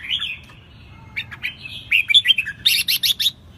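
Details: Red-whiskered Bulbul: a liquid, warbling phrase rising into bright whistles, ending in quick, emphatic repeated chirps, with low background noise.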